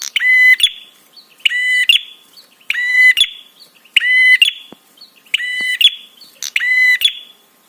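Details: Buzzy, rasping prinia notes, six in a row, each about half a second long and fairly evenly spaced at roughly 1.2-second intervals. The call is used to get other birds to respond and to excite them.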